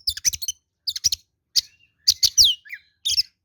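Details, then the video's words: Fighting song of the oriental magpie-robin, used to lure and agitate other birds: clusters of sharp, scratchy high notes and a clear falling whistle, delivered in loud bursts. "SUARA BURUNG kacer gacor NGEPLONG TARUNG ini paling AMPUH buat PANCINGAN kacer NYAUT EMOSI"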